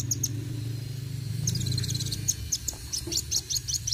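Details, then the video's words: Kolibri wuling sunbird in 'gacor roll tembak' delivery, rapid strings of piercing high ticks and short whistles repeated in clusters, with constant low-pitched rumble behind. "Kolibri Wuling Gacor Roll tembak"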